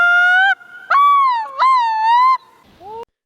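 A common loon gives a few eerie, mournful wailing notes, each held up to a second and bending smoothly in pitch, ending on a short rising note.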